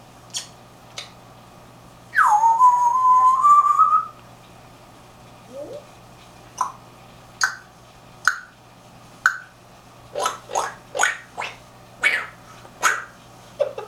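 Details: Pet African grey parrot indoors, playing and mimicking, gives a long whistled note that drops and then rises, then a run of short, sharp whistled chirps that quicken to about two per second, over a steady low room hum.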